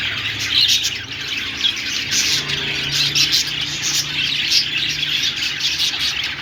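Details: Continuous high-pitched chirping and warbling from budgerigars, a busy stream of twittering syllables with occasional brighter squeaks standing out, and a soft low drone in the background.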